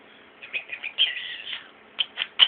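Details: Pet male European starling mimicking human speech: a quick run of high, squeaky, scratchy syllables, a brief pause, then three sharp chirped notes.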